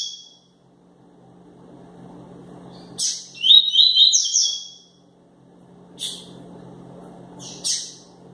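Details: Tui-tui style song from a double-collared seedeater called 'quente': a sharp chirp, then a single rapid phrase of buzzy stepped whistles lasting about a second, followed by isolated high clicks against a faint low hum.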